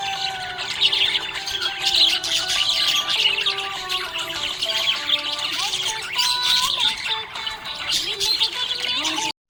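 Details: Several happy budgies keep up nonstop high-pitched chirps, warbles and scratchy squeaks, thick and unbroken from start to finish, layered over background music with a step-wise tune.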